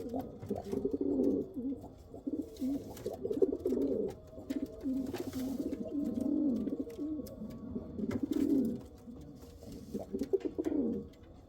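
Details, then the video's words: Soft, blurred cooing from Kal Cheeni and Rampuri pigeons comes in repeated swelling phrases roughly every two seconds, muffled against a low background rumble. "Pigeon sound | kal cheeni kabutar sound | Rampuri kabutar sound"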